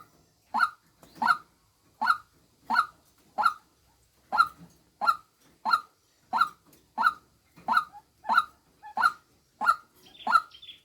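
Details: Female white-breasted waterhen decoy delivering a long run of repeated harsh 'kook' notes, about ninety per minute, fairly even in pitch and loudness, with occasional faint extra clicks in the background.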